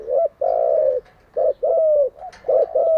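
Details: Spotted dove kept for training captive birds, giving clear low coos: short and long rounded notes in a repeated phrase, several loud coos in three seconds, close and dominant.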